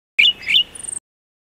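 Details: A Golden-headed Cisticola (Cisticola exilis volitans), likely in Taiwan, gives two quick, sharp chirps, then a thin, high, buzzy note with a fast ticking stutter. Under a second long, with no other sounds.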